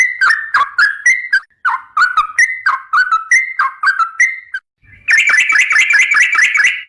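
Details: Sooty-headed bulbul of the trucukan garuda type in full gacor song for a masteran recording: a series of slurred two-part whistles rising and falling, then after a brief gap a dense rapid ropel trill of bright chirps.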